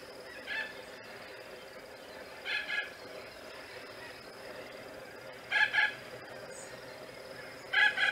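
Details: Spoonbills at their nests; harsh, nasal double-note calls in short bursts roughly every two to three seconds, over a steady hiss of distant colony chatter.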